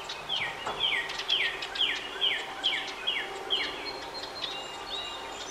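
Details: Parent house wrens at a nest box, coaxing the last two of five nestlings to fledge into a nearby dense hemlock, give a quick series of high notes that slur downward, about eight in four seconds, over a low background hiss.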